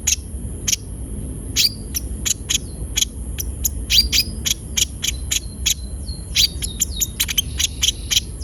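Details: Gacor brown-throated sunbird, played as a lure so untrained birds sing quickly; steady sharp high chips with thin downslurred whistle tails, growing busier toward the end, faint low hum behind.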